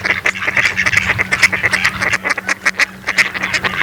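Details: Mallard ducks giving soft, rapid, clipped nasal notes in a continuous chattering stream, several birds at once, with a faint steady hum below.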